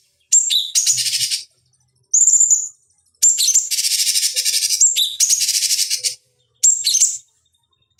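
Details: Cucak cungkok bulbul on a training master for fighting birds: repeated phrases of high whistles and dense, harsh, rapidly pulsing trills, separated by short silences, across eight seconds.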